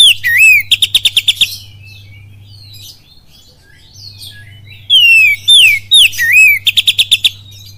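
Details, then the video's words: Oriental magpie-robin in captivity singing kapas tembak-style lure phrases. Two bursts separated by a quiet gap, each with slurred falling whistles and a fast string of crisp repeated notes, plus a low steady hum. "SUARA PANCINGAN KACER FULL KAPAS TEMBAK CILILIN DAHSYAT"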